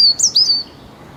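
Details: A European Robin sings from the trees in early spring sunshine beside an old disused rail line outside Preston, England: a brief, high, thin phrase of sliding, tinkling notes.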